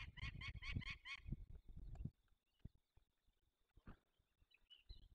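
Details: Young peregrine falcons being released, Barycz Valley, Poland, 27 May 2020: five rasping, evenly spaced notes over low rumbling noise, followed by near silence with occasional knocks.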